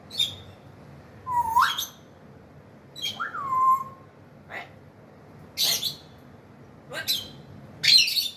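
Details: Grey African parrot alternating raspy squawks with clear whistles, one rising sharply then sliding down and holding steady, followed by spaced harsh calls about every second or two.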